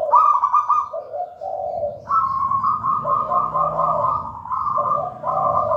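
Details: Zebra dove singing continuous manggung coos. The local wild-stock bird was taken from a nest in a raja banana plant. Rolling, tremulous higher notes alternate with lower, soft purring coos in an almost unbroken sequence, over a faint low background rumble.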